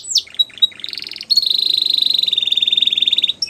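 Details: Belgian canary song opening with a few sharp chirps and a brief trill, then a sustained fast trill holding steady at one high pitch for about two seconds before stopping.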